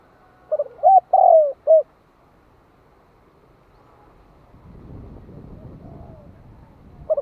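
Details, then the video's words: Lure spotted dove calling to stimulate wild doves: one phrase of clipped notes, a long falling coo and a final note, followed by low rustling handling noise and a faint distant coo. "Tiếng Cu Gáy Giọng Hạp BổI [ GÁY GỌI + THÚC ] Kích Bổi Nhanh Nổi"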